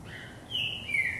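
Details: Trinca-ferro, the green-winged saltator, singing while it hops on a cage perch in a vigor exercise; a single bright whistle that slowly falls in pitch.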